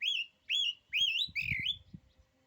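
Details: Oriental magpie-robin whistling four looping, rising phrases in quick succession, with low knocking sounds in the background.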